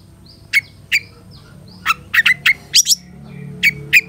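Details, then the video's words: Long-tailed shrike song played as a master recording for training caged birds: short sharp downward chirps, single or paired, at uneven intervals, with faint higher whistled notes between them over a low background hum. "Masteran Suara Cendet Satu Titik Nagen❗Pancingan Cendet FULL Isian MEWAH"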